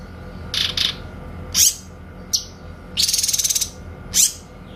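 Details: A grey-cheeked bulbul gives its crisp 'tembakan' shooting song, a tutor recording for magpie-robins: paired buzzy notes, an upward-sweeping whistle, a brief chip, then a dense fast trill and another rising whistle.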